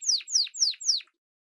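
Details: Canary song: four loud descending whistled sweeps, each about a quarter second long, falling from high to mid pitch, then silence.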